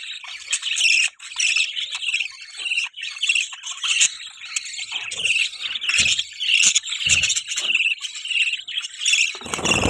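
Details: Budgerigars giving mating sounds, a dense, continuous high chirping and warbling chatter with rapid twittering notes overlapping throughout, plus occasional soft low thumps.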